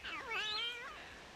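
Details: Palm cockatoo in Cape York Peninsula forest gives its display 'hello' call, a single rich, nasal, almost spoken note rising then falling over nearly a second, apparently greeting its mate or a neighbouring cockatoo.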